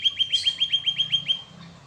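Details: Canary giving a short series of about ten crisp, evenly spaced whistled notes, roughly eight per second, fading out at the end.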